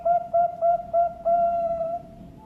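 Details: Zebra dove of competition quality, singing four short soft coos followed by a long, drawn-out hollow note that fades away, with a quiet background.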